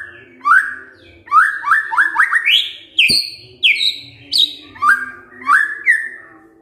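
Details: Kretekan fighter song of a white-rumped shama, used to provoke a reply from quiet shamas: quick repeated rising whistled notes in runs, a sharp click, then higher clear whistles and more rising slurs.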